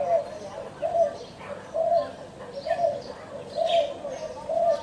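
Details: Steady, evenly spaced low coos from a spotted dove, six soft notes at a regular pace of about one per second, with faint distant bird chirps behind.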